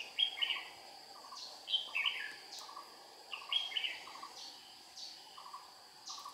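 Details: Red-whiskered bulbul decoy singing to lure wild birds into a trap, recorded 22 April 2019 in Vietnam: short bright warbled phrases at irregular intervals over a steady rhythm of low buzzy pulses from insects.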